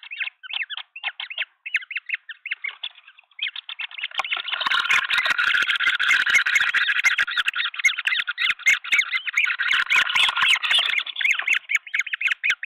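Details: Green wood hoopoes at a nest cam in Pretoria, South Africa, on 23 February 2024, a flock helping raise three chicks, give harsh, rapid chattering calls that start broken and grow into a loud, continuous cackling chorus.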